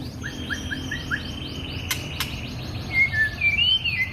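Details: Oriental magpie-robin singing actively, offered as training material for young or quiet caged birds: a quick run of about ten short rising chirps, then two sharp clicks and a few bright, slurred whistles near the end.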